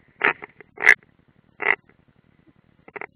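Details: European roller at the nest, Ādaži training area, Latvia, late June 2016, nest camera: four short, rasping bursts spaced irregularly, each a rough, broadband croak, with quiet gaps between.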